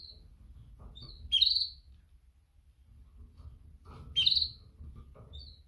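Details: Female canary mating call directed at males: two bright chirps about three seconds apart, each followed by a softer echoing tweet, over a constant low rumble.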